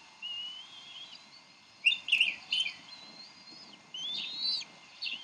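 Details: Bald eagles at the Decorah nest, parents squabbling over a fish while an eaglet is fed, late May: high thin whistled calls, sliding and wavering, with sharper chittering bursts in the middle and end.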